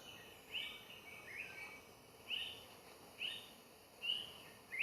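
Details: A greater flameback woodpecker (Chrysocolaptes guttacristatus) calls with sharp, high, slightly rising notes, about one a second at uneven intervals, over a steady background hiss.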